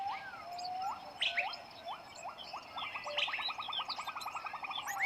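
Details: West Javan long-tailed shrike at a nest with six chicks being fed; a few spaced upslurred notes, then a fast run of rising calls repeated many times per second, and sharp high chirps over them.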